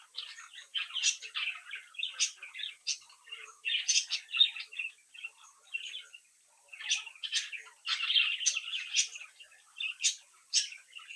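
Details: Captive young budgerigars, a brood playing and interacting, singing and chirping; steady scratchy warble of many short notes and twitters, with occasional sharp high clicks.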